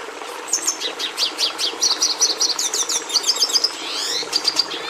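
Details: Singing red siskin (Carduelis cucullata): a lively run of high, rapidly repeated chirps that turns into buzzy rattling trills, ending with a downward-sliding squeaky phrase and a few sharp notes.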